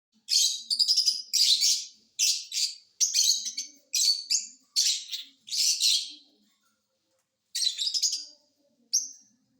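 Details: Caged green ring parrot giving a series of harsh, buzzy squawks in short bursts about once a second, then a pause and two more bursts; quiet room otherwise.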